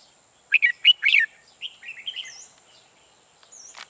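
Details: Red-whiskered bulbul used as a lure for trapping delivers a loud burst of quick bubbling whistled notes followed by softer slurred warbles, then near quiet, with a steady thin high tone throughout.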